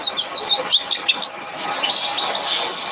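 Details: Canary training song used as masteran kenari: short high chirped notes repeated quickly, then a thin sustained whistle and a rougher buzzy trill, over a faint background hum.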